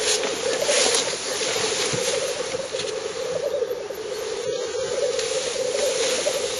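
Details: Black grouse males at a lek in northern Finland on 30 April 2011, recorded from 50–70 metres, bubble in a steady, low, dove-like cooing chorus that rolls on without pause, with a soft hiss and faint distant calls behind.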